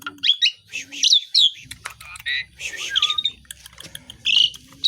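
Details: Asian pied starling in full voice with a song full of copied calls: a jumble of sharp chirps, squeaky whistles and scratchy chatter, including a descending slurred note, over faint low background rumbling.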